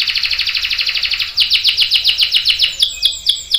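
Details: Canary song used to tutor young canaries: a rapid rolling trill of about eighteen notes, slowing into distinct downward-swept chirps repeated roughly five times a second.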